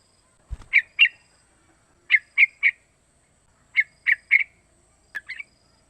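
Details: Three-month-old sooty-headed bulbul giving lure calls to draw song from others: sharp chirps grouped in twos and threes with short pauses, a faint click at the start.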